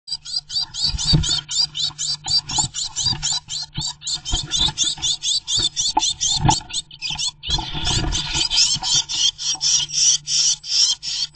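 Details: Blue tits, two of them, defending their nest site against a great tit and fighting it, sometimes together; rapid harsh scolding chatter repeated about four times per second throughout, with scratching and knocking noises from the struggle.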